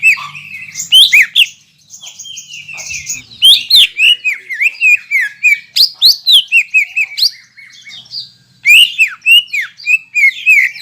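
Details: Rich, varied song of a greater green leafbird used to rouse rival leafbirds: long unbroken stream of quick whistled slurs, trills and buzzy notes, with a brief dip before a final lively phrase.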